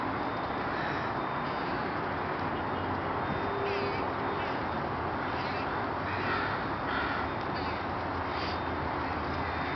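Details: Many crows in an urban area of Burnaby, British Columbia, Canada, being chased by people on foot; repeated harsh caws from several birds rise over a steady roar of city traffic noise.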